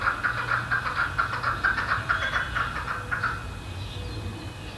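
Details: Chukar Partridge, one of a flock settled in a Colorado suburb, calling from fences or rooftops: quick repeated clucking notes, loud at first and fading after about three seconds, leaving low background hum.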